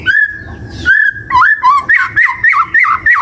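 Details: A white-rumped shama sings a long steady whistle, then a quick string of bouncy, looping whistled notes repeated in a rhythmic run.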